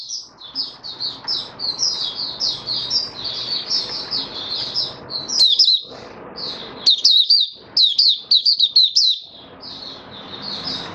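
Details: Oriental white-eye, caged, singing openly, fifth day after monthly deworming, 20 January 2022. A steady flow of high, quick warbled chirps runs about four per second, becoming louder and crisper midway, over a constant low background hum.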